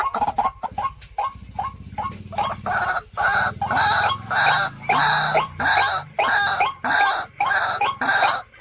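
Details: Caged decoy white-breasted waterhen, kept in home style, giving harsh, buzzy croaking notes: a quick stuttering run at first, then loud rough croaks repeated roughly every half second to second, over a low steady hum.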